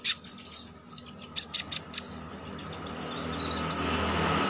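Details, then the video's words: Konin, a caged songbird, in a training recording for song contests, singing lively with sharp high notes: scattered short chirps and bright rising whistles spread over a few seconds, with faint steady background hiss. "Konin damer gacor ngalas nembak tajam‼️ampuh buat masteran kicau mania"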